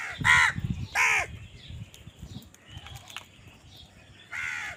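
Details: Crows fighting for food: two loud, harsh caws close together near the start, then softer chatter and a third strong caw at the end.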